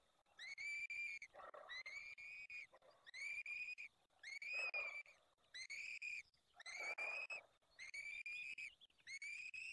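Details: Peregrine falcons at the nest during the fifth feeding, Barycz Valley, Poland, 23 April 2020 at 19:28; long drawn-out, harmonic wailing notes repeated in a steady series, each under a second, with brief lower rasping sounds between them and faint regular clicks.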